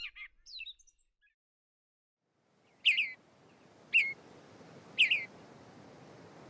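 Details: Gray Catbird imitating many other species' songs rather than its usual nondescript warbling: a few faint high notes, then a pause, then three sharp, loud, high-pitched downslurred chirps about one second apart over low background hiss.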